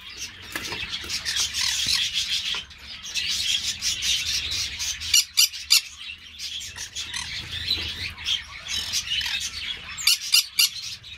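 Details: Captive green-cheeked parakeets kept by an amateur breeder: continuous high, scratchy chattering with frequent short harsh squawks, busy and overlapping throughout, with a low background hum.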